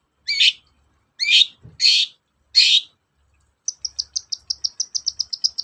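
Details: Long-tailed shrike, a lure recording for shrikes slow to sing: four harsh, scratchy bursts followed by a fast, steady series of short high ticking notes, about a dozen in under two seconds.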